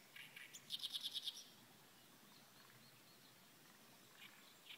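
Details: Reed warbler: a quick burst of six high, evenly spaced chattering notes in under a second, preceded by a few scattered chirps, then near silence with faint distant calls.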